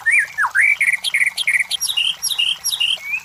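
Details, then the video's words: White-rumped shama singing for a lure recording used with competition birds: clear slurred whistles, rising and falling, with sharp high accents, delivered in a rapid continuous phrase. "MASTERAN SUARA MURAI BATU"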